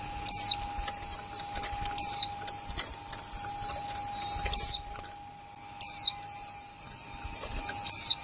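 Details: Kick mộc là líu calling from a new female white-eye, 2020. Five thin, high, falling whistled notes at uneven intervals are set against a steady high hiss that briefly drops away, plus a faint hum.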